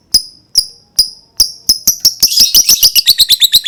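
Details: Lovebird voice used to prompt other lovebirds to sing: sharp separate chips quickly speed up into a fast, rattling chatter.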